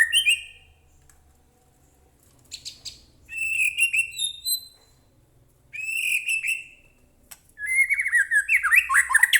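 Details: White-rumped shama, used to goad a captive bird into singing: bursts of high whistles and harsh chattering notes with pauses between phrases, ending in a fast jumble of varied whistled notes, with a low hum beneath.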